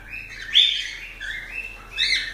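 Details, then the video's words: Cockatiel whistles that slide up and down, with a louder harmonic note early on and a short squeak at the end. "Calopsitas Live de Agradecimento aos 500 Novos Inscritos Canto dos pássaros"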